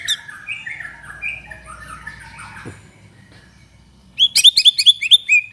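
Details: Shama song as a lure for other white-rumped shamas: soft, distant warbled phrases at first, then a sudden loud burst of rapid, sharp chattering notes at the end.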